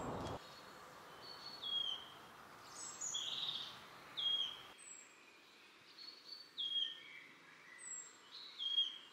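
Wood Warbler: brief, high, thin whistled notes and short downslurred phrases about once a second, with other birds faintly behind.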